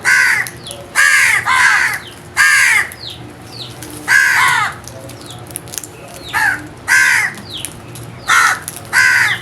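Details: Crows giving loud harsh caws in uneven bursts, often two or three close together with short pauses between, while small birds chirp softly in the background.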